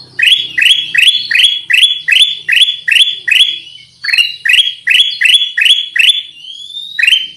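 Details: Kutilang emas (Black-crested bulbul) lure sound: a rapid run of loud, upward-sweeping chirps, nearly three a second, pausing briefly midway. Thin high whistles and slurred notes are woven between them.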